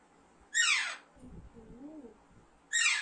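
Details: Alexandrine parakeet gives a loud, grating falling screech, then soft low wavering notes, then another screech begins.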